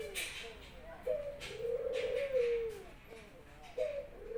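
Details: Pet Barbary dove kept at home, cooing actively as its owner returns from work. A short rising note leads into a long, rolling, low coo, and a second coo begins near the end. Faint clicks sound in the background.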